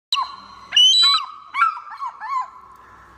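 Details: Bald eagle (Haliaeetus leucocephalus) giving thin, squeaky whistled notes, some rising sharply, in a few overlapping bursts across three seconds; bald eagle call.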